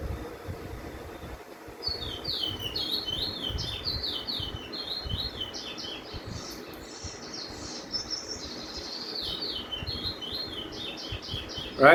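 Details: Chestnut-bellied (Lesser) Seed Finch sings another Venezuelan roll, apparently the "teacher" roll: a fast run of high, sliding whistled notes for about eight seconds, over a low rumble of background noise.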